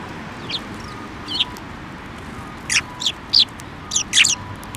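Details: On 15 December 2023 at a Tenmangu shrine, sparrows fly to a hand to be fed; clear high chirps come irregularly, sparser early then clustered in the last two seconds, with faint low background noise.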